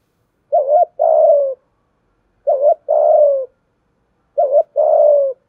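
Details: Spotted dove lure bird calling in the low 'giọng thổ' voice style, used to provoke and train newly caught doves: three phrases about two seconds apart, each a short two-part coo followed by a long, level, slightly falling mid-pitched coo.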